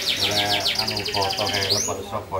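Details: Canary pouring out a rapid series of sharp, descending chirps, followed by a quick upward swoop and a softer fluttering trill.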